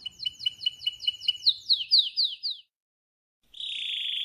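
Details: A singing wild Spanish Timbrado canary gives a series of about a dozen quick descending slurred notes, each stroke slightly higher and louder, then after a pause starts a steady buzzing roll.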